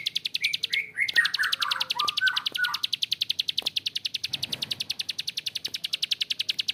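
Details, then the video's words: Harsh, extended 'ngebren' call of a bar-winged prinia (prenjak klik): a steady stream of fast high clicks, with a series of descending whistled notes from another bird in the first three seconds. "PRENJAK KLIK GACOR ‼️Ngebren Panjang suara kasar"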